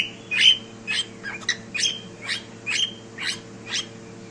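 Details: A cockatiel kept indoors utters a steady string of quick chirps, about two per second, each a fast rising flick, slightly softer and less even toward the end, against a faint hum.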